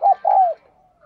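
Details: Spotted dove kept as a lure bird, cooing and calling: a short clipped coo, then a longer mellow coo that bends down and fades, low and hollow, in a quiet setting.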